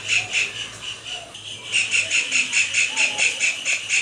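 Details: Continuous series of high, harsh kingfisher notes given during a display dance, softer at first and then louder, repeated steadily about four times a second.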